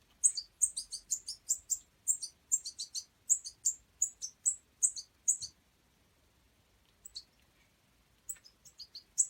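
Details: Juvenile European goldfinch being hand-reared in a wild bird aid setting, calling with fast strings of shrill, high-pitched squeaks, then falling silent for a moment before a few more sharp chirps.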